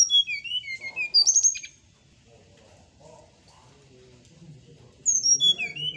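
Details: A Brown-chested Jungle Flycatcher sings in the morning, two bursts of high, clear whistled and trilled notes, separated by a few seconds of quiet with a faint low rumble.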